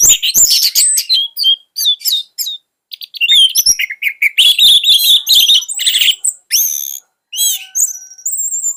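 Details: An orange-headed thrush pours out a loud, hectic song meant to tutor young thrushes: rapid clicks and chirps, buzzy harsh runs, and high whistled slurs with occasional short pauses.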